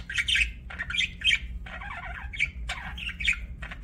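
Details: Budgerigars chirping: bursts of buzzy, scratchy chatter and sharp squawky notes in quick clusters, pausing briefly between phrases, over a faint low hum.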